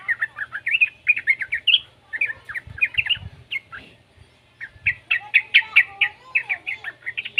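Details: Juvenile yellow-vented bulbul, used as a lure to prompt other bulbuls to sing, giving rapid bubbly chirps in quick bursts with a short pause midway, then a second run of loud choppy notes; a fainter lower wavering whistle underneath.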